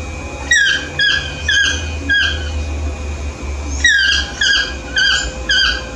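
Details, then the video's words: Yellow-throated toucan (Ramphastos ambiguus) calls in the morning, yelping loudly with harsh, down-slurred notes in quick pairs and triplets about twice a second, over a low steady hum. "Yellow-throated toucan (Ramphastos ambiguus)'s Concerto del Mattino."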